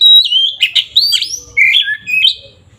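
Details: Kacer, an oriental magpie-robin, singing to provoke rivals: a sharp pure whistle opens a dense run of sliding, warbled notes, each phrase dipping and rising, delivered without pause.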